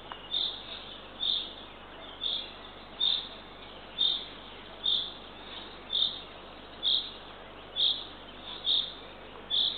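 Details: At a Northern Estonian nest at 6:21 am, 3 June 2023, a Eurasian eagle-owl chick is fed by the female; raspy hiss-like bursts come in a steady series about once per second, with a faint click.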